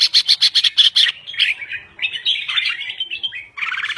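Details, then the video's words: Crested bulbul from Thailand in lively, full song: a rapid series of about seven loud, sharp repeated notes, then warbled, chattering phrases sliding up and down, ending in another quick burst. "Kicau Burung Merbah Jambul Gacor"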